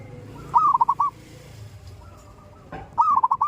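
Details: Two short purring phrases of a zebra dove calling in the morning, each a quick string of rolling coo notes about two and a half seconds apart, over a low rumbling background.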